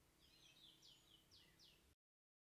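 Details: Cendet, the long-tailed shrike, in a three-part filler song. A quick run of about six high, thin, down-slurred whistled notes over a steady background hiss, ending abruptly.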